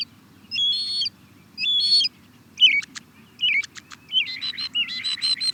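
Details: European starling: two buzzy, wheezy phrases, then sharp clicks and short slurred whistles, ending in a run of squeaky chattering notes; a soft low hum underneath.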